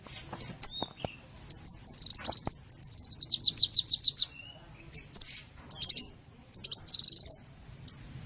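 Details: Sunbird song used for songbird training: scattered high chips and a few faint clicks, then a long fast series of rhythmic descending notes, followed by more short bursts of squeaky twittering.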